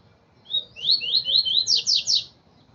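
A double-collared seedeater sings a quick, high phrase: a thin opening note, then a run of about eight sharp, rising-and-falling chirps, ending bright and loud.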